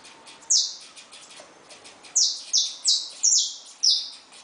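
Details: One high, downslurred note from caged saffron finches with newly hatched chicks is followed after a pause by five more evenly spaced, bright, falling notes, given about every half second.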